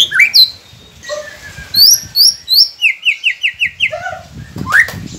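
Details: Recording of a white-rumped shama used to get silent captive birds to start singing: high, sharp chirped notes, then a quick even series of about seven bright repeated notes, then a few lower whistles.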